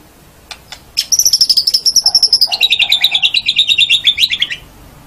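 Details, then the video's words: White-rumped shama training song for caged birds, morning or evening: after a few faint clicks, a loud rapid trill of repeated sharp notes, starting high and stepping down in pitch, lasting about three and a half seconds. "SUARA BURUNG - Masteran Terbaik Murai Batu"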